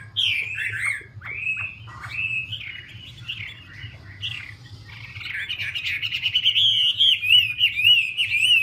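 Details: Chinese hwamei, a female performing a fanned-feather dance to excite the male: varied whistled phrases that wander up and down, then turn into a quick repeated warbling sequence that strengthens toward the end, with a steady low hum behind.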